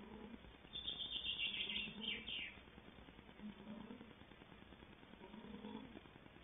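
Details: Four Tawny owl chicks in a nest box at Tangermünde, Altmark, on 5 May 2020, 34–36 days after hatching and about to leave as branchers, give wheezy, hissing begging calls, bursting early, then lower buzzy notes repeating.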